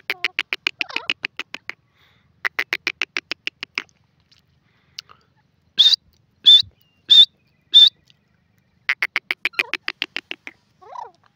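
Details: Grey francolin calling: rapid trains of harsh, evenly spaced pulsed notes in bursts of one to two seconds, broken by four loud, separate higher whistled notes in the middle, then another pulsed burst and a short squeak.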